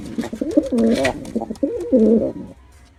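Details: Male pigeon performing, giving low throaty coos: a warbling phrase near the start, a short break, then a second rolling coo ending before three seconds, with faint room noise.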